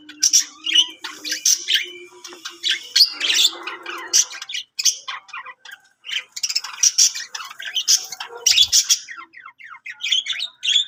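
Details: Budgerigar singing: continuous chattering warble of scratchy chirps, squawks and short whistles, densely packed with brief pauses, plus a low buzzy hum early on.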